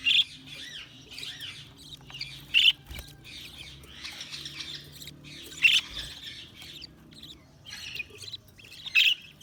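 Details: Budgerigars twittering softly and continuously, with a sharp loud chirp standing out about every three seconds.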